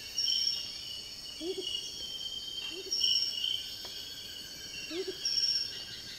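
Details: Perched Amazonian motmot (Momotus momota) in the southern Amazon at Tambopata, Madre de Dios, Peru, giving soft, low, doubled hoots about every one and a half seconds beneath loud high-pitched insect buzzing and trilling.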